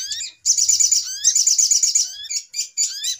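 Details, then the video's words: Sogok ontong, or little spiderhunter, on a noisy trapping lure: two fast, high, stuttering chatter phrases, then several short upward-swept chirps. "Suara Pikat Ribut Burung Sogok Ontong"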